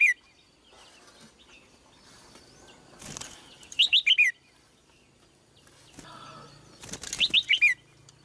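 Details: Female red-whiskered bulbul singing: two short bursts of quick, slurred, whistled notes, about five each, near the third and seventh seconds, each preceded by broad rustling, flapping noise.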